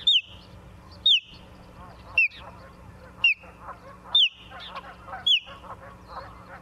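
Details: Osprey calling from a nest in Charlo, Montana, at 17:45 on 28 September 2023, recorded by a live nest cam: six high, slurred whistles about a second apart, each dropping then leveling, with soft warbling notes between.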